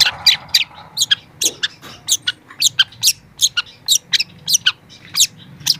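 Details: Young long-tailed shrike, training recording: a steady stream of short, sharp, high chirps and sweeping notes, about three per second, with faint low hum beneath.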